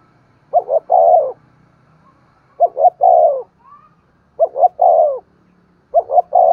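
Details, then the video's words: Spotted dove cooing to stimulate other doves: four phrases spaced about two seconds apart, each two brief low notes followed by a drawn-out falling coo, in quiet surroundings. "Tiếng chim cu gáy kích bổi hiệu quả mỗi ngày, thúc gù và gáy gọi"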